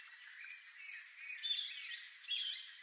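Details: Black-faced tanager (Schistochlamys melanopis) feeding among genipap tree flowers in Brazil gives thin, high, sibilant notes that run together for about a second, then fade into softer wavering chirps over faint background hiss.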